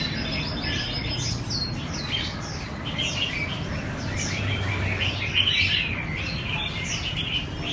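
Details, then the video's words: Captive red-whiskered bulbuls practising for a singing competition, in a busy, overlapping chorus of bright chirps and quick falling whistles, with a steady low hum of background noise. "Tập Duyệt Chào Mào Đi Thi"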